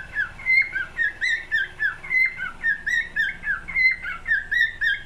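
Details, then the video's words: Pet cockatiel song: clear, rhythmic whistles sliding up and down, with brighter upward-flicking notes mixed in, repeated in quick succession against a soft low hum. "Best Cockatiel singing"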